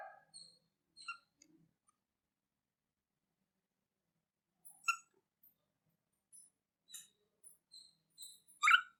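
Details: A pet cockatiel chirping continuously gives short, scattered chirps, some thin and high, others harsher and squeaky.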